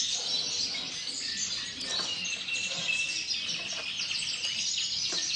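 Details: Breeding male Norwich canary singing a continuous run of high, rapid twittering and trilled phrases, with dense chirps and warbles and no pauses.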